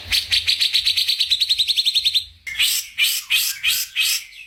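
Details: Magpie-robin masteran song: a quick trill of high, sharp pulses lasting two seconds, then four slower, louder, separate whistled notes that rise and fall, over a faint low hum.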